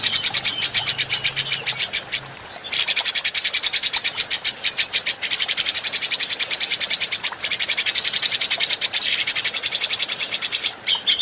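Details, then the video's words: Long, nearly unbroken chatter from an adult grey-cheeked bulbul, recorded to train other birds. Rapid buzzy notes repeat several times a second after a short opening gap, with only a few brief breaks. "Masteran Burung Cucak Jenggot"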